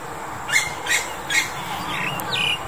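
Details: Female Asian Koel, February 2021: three harsh, sharp high notes about 0.4 seconds apart, followed by two shorter rising-then-falling notes, over steady background hum.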